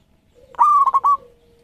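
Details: One close, loud coo phrase from a champion local zebra dove used as a lure master: a rising onset into a held tone broken by three quick stutters, over a soft lower trailing note.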